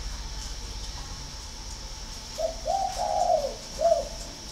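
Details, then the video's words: Spotted dove from northern Vietnam, at a breeding aviary in Ba Vì, Hanoi: a cooing phrase of several low, soft, rounded notes, the middle note longest, ending with a short final coo, over a quiet background hum. "chim cu gáy hay 88 miền bắc"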